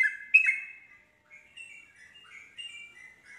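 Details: Yellow-vented bulbul song meant to provoke other bulbuls to answer: a loud, slurred double chirp, then softer, chattering warbled phrases wavering up and down, clear with no background noise.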